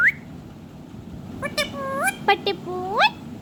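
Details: Pet ringneck parrot singing and dancing: a short rising note, a pause, then a run of harmonic, speech-like syllables that slide upward, the last one swooping high.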